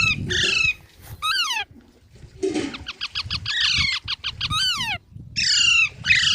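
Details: Baby parrots give a busy run of harsh, descending squawks, some drawn out and some clipped into rapid stuttering bursts, with low rumbling noise beneath.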